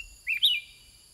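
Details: Sooty-headed bulbul in a cage replying to wild birds with one rich, warbled two-part whistle, rising then dipping, clear against a steady high insect buzz.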